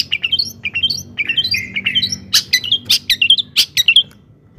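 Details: Long-tailed shrike song played as a lure to rouse other shrikes into singing: quick chirped and squeaky notes, rising slurs and sharp clicks, densely varied, with loud buzzy bursts in the second half.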